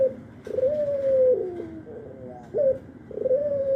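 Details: Albino barbary dove, kept as a frequent caller through morning, noon and night, utters a long steady coo that drops lower, a short curled note, then begins another drawn-out coo, indoors with little other sound.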